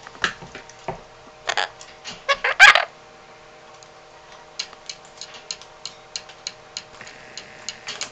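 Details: An 8-year-old yellow-collared macaw (Primolius auricollis) clicks, taps and attempts speech, making a string of sharp clicks and taps, one louder raspy vocal burst and a brief nasal tone, over a steady indoor hum.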